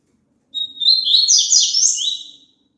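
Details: A single phrase of double-collared seedeater song, played to get a caged bird singing along: a steady high whistle swells into a dense, fast warble of rising and falling notes lasting under two seconds, with a faint low hum beneath.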